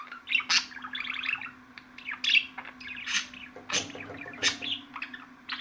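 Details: Budgerigars giving gurgling warbles and bright chirps in uneven bursts, with sharp loud clicks and a few short whistled notes, spaced by brief quieter gaps over a steady low hum.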